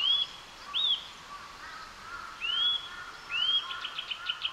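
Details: Eurasian nuthatch in Japan whistling four separate upslurred notes at uneven intervals, the last one running into a quick series of short ticking notes, with a low steady hum of distant background.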